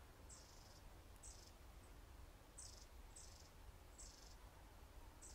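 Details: Long-tailed tits, a winter flock in a UK garden at a suet feeder, pecking and chasing in a minor dispute over the best position. Thin, very high buzzy calls come in short bursts, about six in five seconds, over a low steady rumble.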